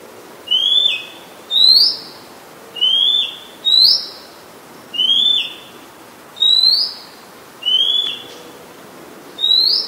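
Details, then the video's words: Oriental magpie-robin, a very common resident, singing at Ubon Ratchathani, Thailand, on 17 July 2022, recorded with a Nikon P1000: clear high whistles repeated about every 1.2 seconds, alternating a level note that drops at its end with a brighter upslurred note. "นกกางเขนบ้าน Oriental Magpie Robin (singing)"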